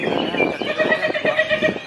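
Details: Greater green leafbird, a strong-singing kept bird at a bird gathering, giving a loud, fast trilled phrase of rapidly repeated notes at two bright pitches over a murmur of background voices.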